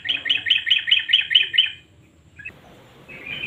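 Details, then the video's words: Lure recording of a male sooty-headed bulbul, 'nguklik' style with 'garuda' combination, played to make mute birds sing: a quick series of seven bubbly chattering notes, a near-silent gap, then faint renewed notes over hiss. "Trucukan GACOR NGUKLIK kombinasi GARUDA yang BISU pasti IKUTan bunyi"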